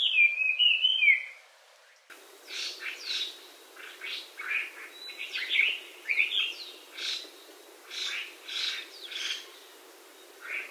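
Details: Hwamei, or Melodious Laughing-thrush, introduced to Hawaii, where it lives in lowland and mountain habitats. A loud, whistled, slurred phrase opens, then fainter repeated short notes and buzzy syllables follow in quick succession.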